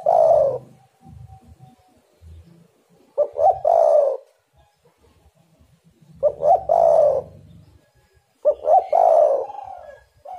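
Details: Spotted dove repeating its coo phrase to lure other doves: four loud phrases, each of short rising notes and a long warm coo, spaced about two to three seconds apart, with faint soft coos and low rumbles between.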